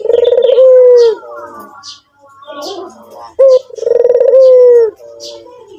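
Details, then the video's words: White dove (puter putih) cooing repeatedly: two rolling, pulsed coos, each ending in a drawn-out falling hoot, separated by a short clear note; scattered high chirps from other birds and faint rustling between them. "burung puter putih gacor"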